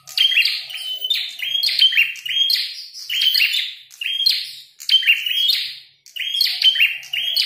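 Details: Fighting red-headed prinia pours out loud, harsh chirping phrases, each a burst of sharp notes and buzzy slides, with short silent breaks near five and six seconds.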